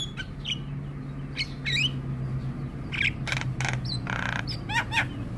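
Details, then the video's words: Javan myna (jalak kebo) singing in scattered phrases: short rising whistles, a few broad harsh rasps and a buzzy note, over a constant low hum. "Ocehan Jalak Kebo Gacor"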